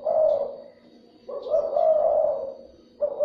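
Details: Spotted dove luring call to stimulate other doves: two long, mellow coo phrases and the start of a third, low and rounded, with a slight rise into each drawn-out coo.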